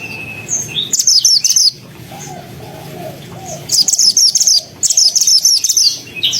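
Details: For training white-rumped shamas, a mantenan (pied fantail) sings vigorously. A thin steady whistle comes first, then rapid clusters of high, squeaky chirped notes in three separated bursts, with soft lower wavering sounds between them.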